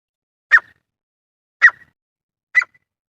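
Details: Male grey francolin, recorded for hunting use, giving three isolated short harsh notes about a second apart in otherwise silent surroundings.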